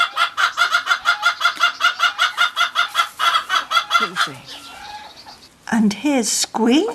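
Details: A little Cochin hen in a Normandy garden on a sunny, cold morning, described as saying hello to her breakfast, gives a quick run of bright, even clucks, two or three a second, before a person's voice takes over.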